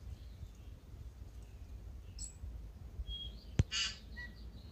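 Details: A tui in Manawatu, New Zealand, waking before sunrise in early morning, gives a few sparse notes: a high thin whistle, a sharp click, a brief harsh burst and a short pure whistle, over a steady low rumble; finding: tui.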